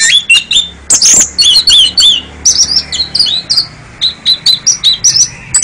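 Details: Champion kacer, a national contest winner, delivering bright high whistled phrases and sharp chirps, short notes repeated in bursts about every half second, with a few downslurred slides, clean recording.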